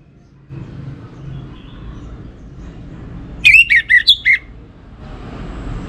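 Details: Orange-headed thrush song from a kept bird in North Bali, Singaraja: one quick phrase of about five varied, slurred whistled notes amid steady low background noise.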